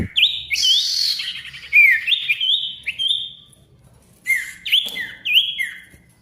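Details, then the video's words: Ashy tailorbird singing energetically, used to restart silent tailorbirds: a rasping burst leads into a run of clear downslurred whistles, a pause, then quick, sharp repeated notes. "SIRTU GACOR RIBUT COCOK UNTUK SIRTU MACET BUNYI AGAR GACOR KEMBALI"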